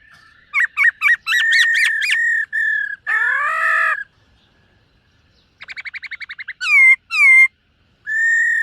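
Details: Silver-eared laughingthrush singing and displaying in a morning voice-training session: clear whistled notes, then a harsh burry phrase, a pause, a fast rattling series, loud down-slurred whistles and a final long whistled note.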